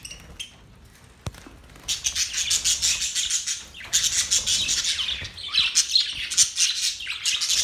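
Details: Budgies from Australia, quiet at first with a single click, then steady dense chattering and buzzy chirps that run to the end.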